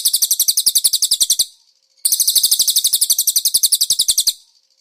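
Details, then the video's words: Konin, recorded as a training master with cililin fill-ins: two long, rapid, high-pitched trills of evenly pulsed chirps, each around two seconds, divided by a short quiet gap. "MASTERAN BURUNG KONIN ISIAN CILILIN"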